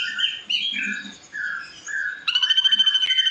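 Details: Ashy drongo song for training cage birds: varied clear whistles, some sliding and some steady, give way to a harsh, metallic chatter of quick repeated notes to the end.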